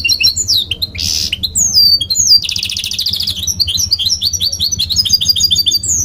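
A goldfinch mule sings a lively run of high twittering notes, buzzy trills and quick chirps.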